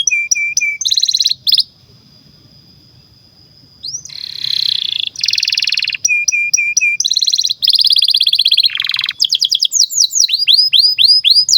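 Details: Domestic canary song used as a tutor for young canaries and ones that have stopped singing: high rapid trills, a long steady whistled note, buzzy rolls and a falling sweep, ending in a series of quick upswept chirps.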